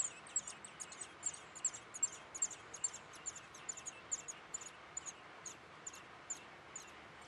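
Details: A nest of Eurasian blackbird young being fed in a backyard in Weert, with a steady run of thin, piercing, high chirps, roughly two or three per second, at an uneven rhythm.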